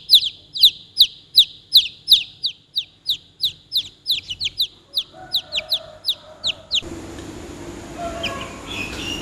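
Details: Rapid series of loud, piercing downward-sweeping peeps from chicks for about seven seconds, then the calling stops and a broad hiss takes over.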